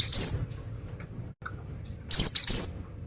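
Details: Female cinereous tit calling to lure males: one thin, high falling whistle, a quiet gap, then three rapid high whistles with a lower note tucked between, over soft low background noise.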